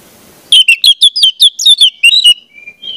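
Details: Orange-headed thrush song used to train young birds to sing: a rapid series of about twelve bright, slurred whistled notes, each sweeping down, delivered in under two seconds, then a thin sustained whistle.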